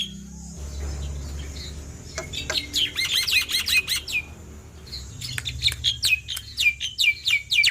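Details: Male black-winged myna (jalak putih), whose lively singing is used to spur lazy mynas into song; after a quiet start, dense bursts of sharp, high chirps and whistles come in two volleys separated by a brief pause.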